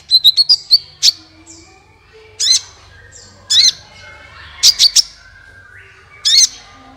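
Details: Sunbird song used to draw other birds into song: a fast trill of high chips opening, then loud rasping squeaky bursts repeated every second or so.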